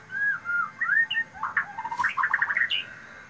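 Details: White-rumped shama giving a loud, ringing song: smooth slurred whistles that lead into a rapid run of clipped, squawky notes and end on a high, sharp whistle.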